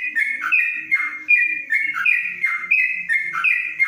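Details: Continuous whistled song of a yellow-vented bulbul kept in a covered cage, the long 'ropelan' style: bright notes sliding down and back up in tight, repeated phrases with soft low sounds underneath.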